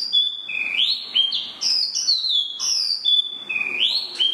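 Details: Spot-throated babbler, or tieu mi, pouring out a continuous bright whistled song of upslurred and downslurred notes, phrases overlapping closely with little pause.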